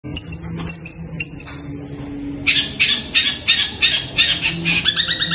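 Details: Long-tailed shrike calling at night, its voice likened to a kuntilanak ghost: three thin high chattering notes, then a run of harsh, buzzy rasping bursts about twice a second, closing with quicker squeaky notes.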